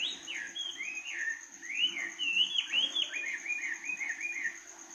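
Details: Bird singing at night, a continuous warbling stream of looping whistled notes ending in a fast trill, with a steady high insect drone and faint low hum behind.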